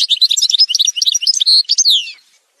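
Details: Montage recording of an Algerian goldfinch singing: quick bright chirps and tinkling notes tumbling together, a short buzzy note, then a sweeping descending slur before the song fades out.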